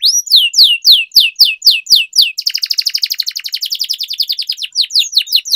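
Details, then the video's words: Long-rolling canary song for training: a run of sharp descending whistles, then a long rapid rattling roll of tightly packed notes lasting about three seconds before looser slurs return. "Canary Singing Training, Kenari Gacor Ngerol Panjang,Pancingan Kenari Macet, Masteran Kenari Paud"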